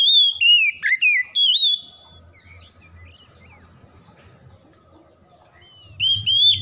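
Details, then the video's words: Kept Oriental magpie-robin giving a burst of sweet, sliding whistled notes, then a long quiet gap with faint low hum, before the whistling resumes near the end. "KACER CEPAT BUKA PARUH HARIAN GACOR"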